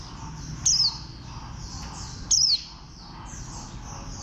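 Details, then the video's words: Warbling white-eye of the green, bantam-shaped type: brief, piercing notes that glide downward, spaced unevenly over a steady wash of distant bird chatter. "Khuyên xanh dáng gà tre"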